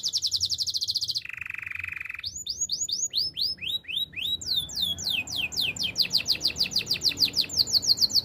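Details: Canary training song: a rapid high rattle, a buzzy lower roll, then a long chain of swooping whistles that turns into a fast, regular trill, loud throughout.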